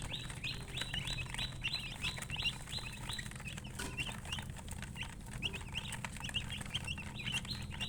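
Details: Many chicks with a coloured hen (murgi) chirp loudly and continuously, bright high peeps, some slurred downward, crowding together in rapid succession, with a low background hum.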